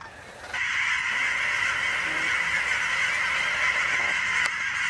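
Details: On a fall evening in Oregon, huge migrating flocks of geese pass over in a dense, steady, overlapping chorus of honks with no breaks; sandhill cranes may be mixed in.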